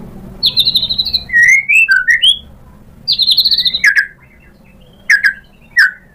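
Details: White-rumped shama as a provoking song: rapid trilled high notes, then falling and rising whistled slurs, with repeated sharp downslurred chips near the end.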